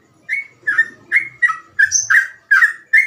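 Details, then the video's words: Sooty-headed bulbul singing a rapid gacor ropel phrase: eight clear, slurred whistled notes spaced evenly, roughly every two-fifths of a second, one rising to a thin high whistle, with faint low background hum. "burung trucukan gacor ropel cengkok mudah di tiru"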